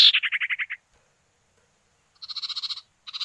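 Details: Male and female common iora, known as sirtu or cipow, answering one another for use as a calling lure: a loud chattering pulsed trill of about eight beats, silence, then two buzzier rattles with a hard metallic edge.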